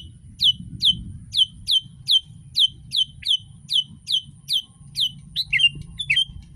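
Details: Sooty-headed bulbul recording used to prompt caged bulbuls to start singing: a fast series of sharp, high, downslurred chirps, about three each second, ending in a few more varied notes, over a steady low rumble and a thin constant high tone.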